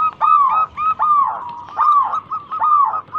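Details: Zebra dove of a local strain, used as a lure recording: slow, full arching coos, each dipping and rising, repeated roughly every three quarters of a second.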